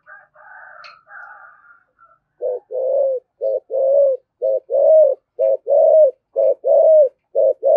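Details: Spotted dove, 'thổ' voice, 'thúc gù' coos used to provoke other doves: a faint chirpy start gives way to a steady string of low coos in short-long pairs, about one per second.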